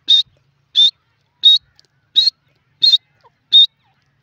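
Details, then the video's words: Male grey francolin calling: six short, shrill, high notes in even succession, about one every 0.7 seconds, each with a slight upward inflection; clean background otherwise. "dakhni teetar male teetar ki awaz"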